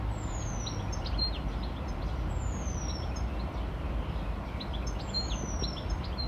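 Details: Near its nest in Parque Manzanares Sur, a Eurasian penduline tit preens and calls: a very high, thin, falling whistle about every two and a half seconds, with faint short notes between, over a steady low traffic rumble.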